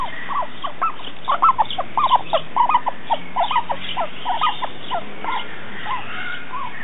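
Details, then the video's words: Crested guan in Mexico City, loud honking calls in rapid irregular series, short harsh notes repeated several times a second, rising and falling, with a few softer calls toward the end. "crested guan"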